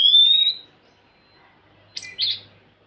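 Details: Oriental magpie-robin song meant to spur a quiet bird into singing: one loud, bright, rising whistle, then a pause and two short harsh buzzy notes, over a faint low hum.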